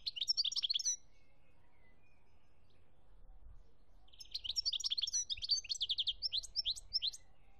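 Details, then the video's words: Algerian European goldfinch, 2017: a short burst of sharp twittering, a three-second pause, then a long jangling phrase of rapid trills and bright chirps. "chont chardonneret algerie 2017"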